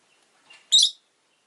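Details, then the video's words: Rosy-faced lovebird making a soft, muffled lead-in note, then one bright, harsh, shrill chirp lasting about a quarter second, in an otherwise quiet setting. "Lovebird Chirping Sounds"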